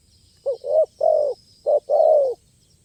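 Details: Spotted dove with a crisp, playful stuttering song, heard where doves are lured; loud low coos: a short note, a longer one, a drawn-out falling coo, then another short note and a long falling coo.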